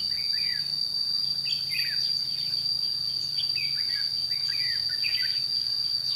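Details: Red-whiskered bulbul during trapping at Chua Huong on 22 June 2016, delivering bright, bubbly warbled phrases in clusters with short pauses, while a continuous shrill insect hum runs underneath.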